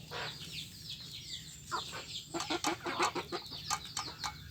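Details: Village chickens (ayam kampung) competing noisily for food; scattered short clucks and sharp pecking clicks, a busy overlapping chatter with higher chirps from several birds at once.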